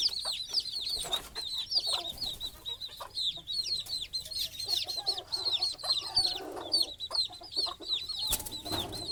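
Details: At night, baby chickens chirp as they try to sleep beside their mother hen resting on a stick over the nest: many thin high peeps sliding downward, densely packed, plus low murmuring clucks and rustling.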